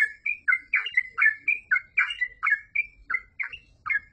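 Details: Yellow-vented bulbul in lively full song, giving quick bubbling whistled notes about twice a second, each a short liquid slur that climbs then falls, one after another in a steady chattering run.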